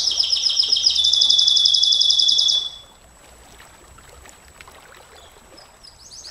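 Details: Canary in a long, sustained song meant for training and prompting other canaries: a high, fast, even trill lasting about two and a half seconds, then near quiet with faint hiss before another trill begins.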